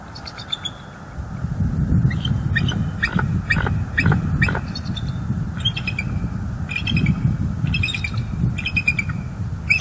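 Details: Bald eagle in Northeast Florida, recorded 11-05-23 at the nest while keeping watch on the sky; bursts of thin, high, staccato piping notes in quick runs, separated by short pauses, with a constant low rumble beneath.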